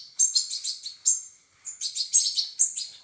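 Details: Begging goldfinch nestlings at feeding time give clusters of high, squeaky chirps, several bursts separated by brief gaps, with no other sounds.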